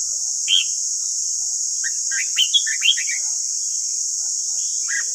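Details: Red-whiskered bulbul singing, a recording meant to coach captive wild-caught birds: an opening whistle, a pause, then a run of short, lively warbled notes and a final dropping note, under constant high hiss.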